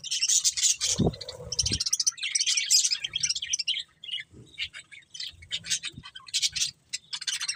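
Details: Several budgies twitter busily: loud harsh chatter bursts early on, then a sequence of short high chirps and buzzy squeaks with brief pauses, plus a couple of low thumps.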